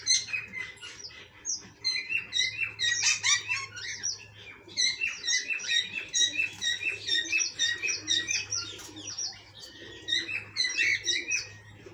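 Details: A group of cockatiels keeps up continuous rapid chirping, with sharp, ringing notes repeated roughly twice a second and overlapping voices, above a faint low electrical hum.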